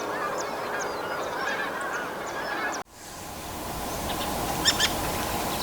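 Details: In Korea, a flock of wild geese calls with dense overlapping honks and higher chatter. After a sudden cut, a hissy wash of noise follows with a few faint chirps.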